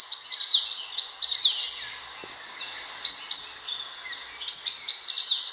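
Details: Sunbird calling, a recording for hunting: quick bursts of piercing high notes that drop sharply in pitch, repeated in phrases about every one and a half seconds, with brief quieter pauses between.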